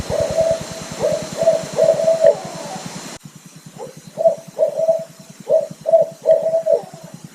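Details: Owls hooting from a back porch on a mid-May Thursday morning, during their mating season: short, even mid-pitched hoots in quick clusters, several per second, over a steady low pulsing chorus.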